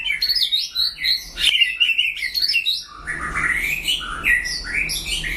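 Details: White-rumped shama dueling with a rival singer: dense, rapid whistled phrases jumping and sliding in pitch, with a sharp crack near the middle and continuous varied notes to the end over a low hum.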